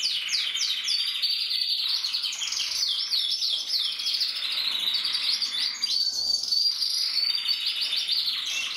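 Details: Red-masked mosaic isabel canary cock, captive-bred, recorded 2024, pouring out loud rapid song of quick descending trill notes and bubbling rolls, nearly unbroken throughout, with a clear high whistle midway.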